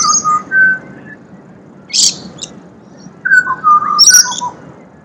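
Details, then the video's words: Pied butcherbird from Australia giving mellow whistled notes in falling sequences, mixed with sharp high chirps from another bird and a low background rumble. "Serenaded by Pied Butcherbird"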